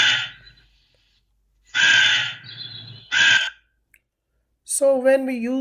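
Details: Crows cawing: three loud, harsh, hoarse caws spaced about a second apart, followed by a man's voice speaking.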